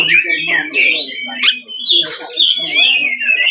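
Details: Magpie-robin (kacer) provoking fighting song: varied whistled notes sliding up and down, with sharp chips and a harsh burst midway, delivered in quick uneven phrases.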